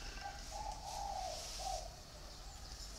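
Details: Spotted dove in captivity, with birds kept in a bamboo cage and an iron cage, giving one short, soft cooing phrase of a few hollow notes, the last slightly apart, against faint hiss.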